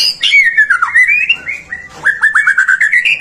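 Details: Prolific song of a white-rumped shama, played to coax other shamas into singing: a long descending slurred whistle, a brief pause, then quick rising chirped notes in a rapid run, loud and clear.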